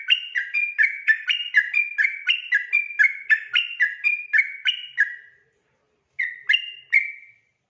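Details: Sooty-headed bulbul singing 'ropel' at night: about five seconds of rapid, bouncing whistled notes, then a pause of under a second before three more slurred whistles.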